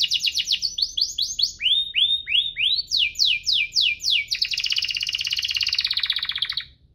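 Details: Active canary singing cuit-cuit ngerol, chirps and rolls, played to stimulate lazy canaries. Series of fast downward sweeps, then lower rising notes, more steep sweeps, and finally a dense buzzy rolled trill that fades out.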